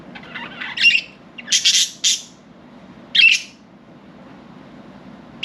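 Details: Budgerigars let out of their cage in the morning, flying free, give short, harsh chirps and squawky bursts, spaced irregularly, over a quiet room hum.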